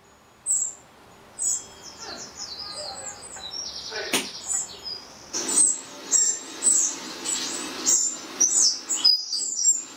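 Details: Eurasian wrens with chicks in a garden, reacting to playback of their own recorded song: bright, very high notes and quick descending trilled runs, broken into bursts, then a steady series of sharp high chirps.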